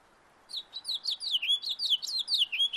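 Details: House finch singing in a backyard: a rapid warbled run of bright, slurred notes sweeping up and down, starting after a short pause and continuing without break to the end.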